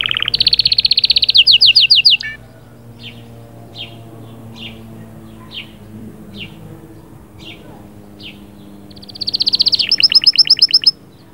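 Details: Canary song aimed at stimulating the female: an intense rapid high trill, then scattered soft single chips for several seconds, then another loud fast rolling trill.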